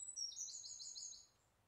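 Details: A wren singing unseen in a tree canopy by a pond at Pilley Bridge Nature Reserve, 30 July 2012, gives a burst of very high, rapid trilling notes that run together for about a second, then fade, over faint hiss.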